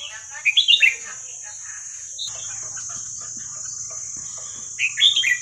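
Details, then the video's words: Red-whiskered bulbul singing the 'hua khrok khayao khuat' song style, played to teach young birds: short bright warbled phrases near the start and again at the end, over a steady high-pitched whine and low background hum. "เสียงนกกรงหัวจุกเพลงหัวครกเขย่าขวด เปิดสอนลูกนก"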